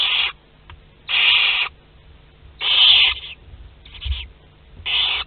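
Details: Western barn owls in a French nest box at Théding on 22 August 2021, second brood hatching. Rough, breathy hisses of half a second or more repeat about four times, one softer and shorter, with a low steady hum beneath.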